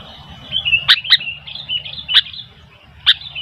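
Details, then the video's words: Sooty-headed bulbul, wild birds stirred up and calling, gives loud, clear whistled notes around the upper-middle range, broken by sharp, explosive chip notes repeated about once a second; faint low background hum. "Burung kutilang gacor ..sampai kutilang liar jadi ramai"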